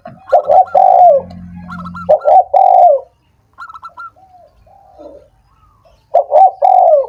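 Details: Spotted dove cooing to encourage lazy doves that are slow to sing: loud husky coo phrases with a faint low hum under the first, then quieter short notes, and a final strong coo phrase.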